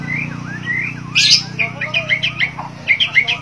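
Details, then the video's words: Bornean White-rumped shama (Copsychus malabaricus) singing vigorously: a quick run of rich, slurred whistles and sharp chattering notes, varied and rising and falling, over a steady low hum. "murai borneo gacor dor White-rumped Shama 白腰鹊鸲 Kucica Hutan"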